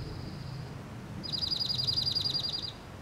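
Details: Slate-colored Dark-eyed Junco song: a dry, even trill of rapid, identical high notes on one pitch for about a second and a half, over a low background rumble.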